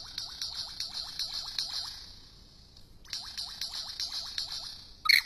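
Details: An Australian lyrebird, performing its display, gives two bursts of quick, repeated rising whoops, about four a second, over a steady high buzzing rattle, ending with one sharp loud snap.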